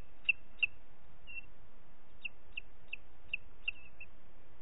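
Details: Booted eagle calling in Parc Natural dels Ports on 30 June 2021 at 11:01: clear high whistled notes, three notes, a softer slurred one, then five more at an even pace over a quiet background.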